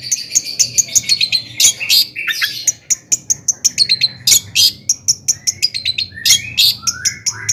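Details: Excited long-tailed shrike song, used to provoke other shrikes into singing: rapid bursts of harsh, scratchy high chattering and sharp clicks, with several short notes sliding downward near the end.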